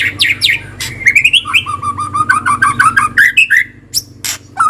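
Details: Murai batu kretekan, used to provoke silent white-rumped shamas to sing: a fast series of chirpy, rising whistled notes repeated in a run, with a low steady hum underneath.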